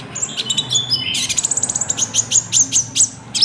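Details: Common iora (konin) song with cricket-style filling, a lure for trapping and training caged birds; a few thin whistles open, then a rapid run of evenly spaced high chirps, about five per second, ending in sharp notes.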